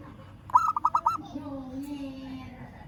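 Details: Zebra dove of a local strain calling to a rival, giving a rapid string of about five bubbling, rolling coos in half a second, followed by a faint steady low hum.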